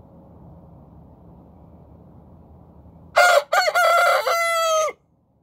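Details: Morning rooster crow: after faint background hum, a single loud crow of two brief opening notes and a drawn-out level final note, about two seconds long.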